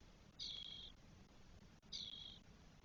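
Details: Four spotless starling nestlings on day 12 call from their nest in Spain, June 2022. There are two drawn-out, harsh, hissing screeches of about half a second each, separated by a pause of a second and a half.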